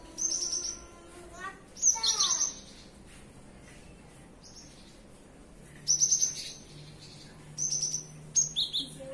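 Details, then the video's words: Cinereous tit singing in the morning: short bursts of high, thin, rapidly chattered whistled notes, repeated in several separate phrases with quiet gaps between them; faint low background hum. "Nyanyian burung gelatik batu di pagi hari"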